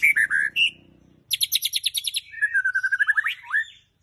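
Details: Oriental magpie-robin singing: clear slurred whistles, then a fast series of sharp repeated chip notes, followed by a long warbled phrase of quick rippling notes ending in a rising sweep.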